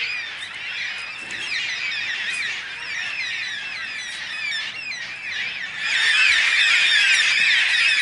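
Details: Large flock of yellow-tailed black cockatoos flying over a backyard: many overlapping wailing, slurred screeches form a continuous loud chorus, growing louder toward the end as more birds pass.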